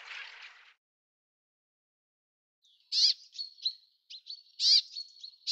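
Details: Bramblings in a garden in April 2013: after a short burst of hiss and a pause, sharp high chirps with quick downward strokes alternate with thin, level whistled notes, in an irregular series over about three seconds.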